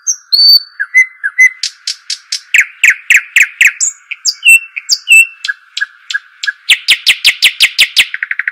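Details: Varied song of the bird called shuhaim or dakhl: high whistles, then long runs of rapid sharp chips and scratchy slurred notes, finishing with a quick descending series, against a steady hum.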